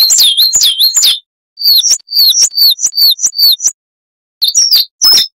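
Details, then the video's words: High, sweet 'wucit' phrases of a Coal tit (Periparus ater), recorded to train cage birds: a few curling notes, then an evenly spaced run of sharp falling whistles, then scattered fragments after a pause. "Masteran Burung Gelatik Wucit Panjang Ngalas - Coal Tit"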